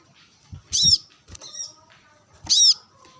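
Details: Brown-throated sunbird calling a rival while being sunned, two loud high piercing chips about two seconds apart with a softer twitter between and low thumps beneath.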